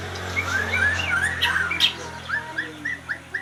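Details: Oriental magpie-robin giving short rising whistled notes, clustered at first, then spaced phrases repeated about every quarter second, over a steady low hum.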